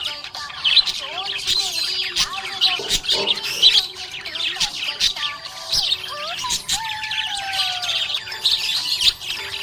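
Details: Happy budgerigar chirping: a continuous, dense, high warble of fast twittering notes and scratchy chatter, with short whistled slides throughout, over a steady melodic music track.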